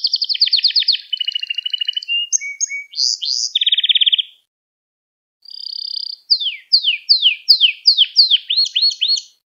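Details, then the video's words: A caged canary sings for a young-canary training recording: several rolling trills and chirps, a brief silence, then a series of sharp downward-sweeping notes repeated about twice per second. "Kanarya Sesi Ve Ötüşü"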